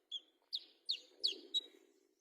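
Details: Fighter olive-backed sunbird; a short series of five sharp high chirps, several sliding downward, spaced about a third of a second apart, over a faint low hum.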